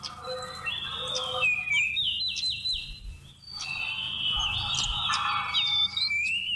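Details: Seychelles magpie-robin song from November 2016, played to lure birds for trapping: rich, varied whistled phrases with quick slurred and trilled notes, rising and falling, with a brief pause midway, over a low steady hum.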